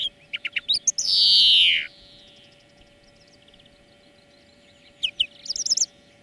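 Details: Song-lesson recording of a European greenfinch: a run of quick chirps, then a loud drawn-out wheezy note sliding downward for nearly a second, a pause, and a closing buzzy twitter, over a steady faint hum.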